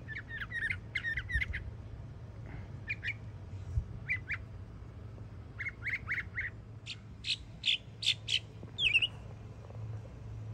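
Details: Yearling Northern mockingbird singing in Florida, a run of rapid raspy notes followed by scattered harsh chips, then loud ringing repeated phrases building toward the end, with a low background hum throughout.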